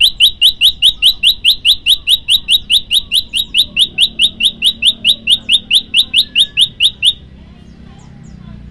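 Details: Bar-winged prinia singing a 'tembakan' phrase, a long sustained burst in one breath for training birds: a fast, regular series of about 25 sharp, pure chirps over seven seconds, then silence and one last note.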